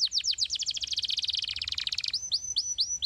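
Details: Canary song used to stimulate other canaries to sing: fast rattled trill of rapid repeated notes, then slower downward-sweeping whistled notes repeated about three times a second.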